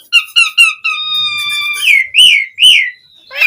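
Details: Asian pied starling singing vigorously, a recording meant to lure other starlings into replying: three short rising whistles, then a long steady whistled tone and looping slurred notes, with a brief rough burst at the end.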